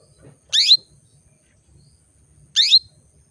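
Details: Female canary calling males into breeding condition: two bright, rough chirps sweeping downward, two seconds apart, in quiet surroundings.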